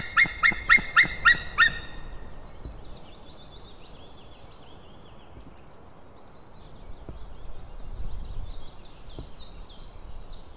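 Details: Male white-tailed eagle calling, recorded 16 May 2016 late morning: a quick burst of six sharp, yelping notes with harmonics, then a long stretch of faint distant chatter and low rumbling background.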